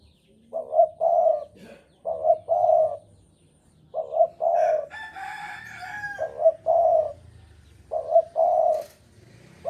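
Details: Javan spotted dove in heavy breeding mood, cooing persistently: repeated phrases of a short double note plus a long mellow coo, about every two seconds, interrupted once by a louder, harsher crowing-like call.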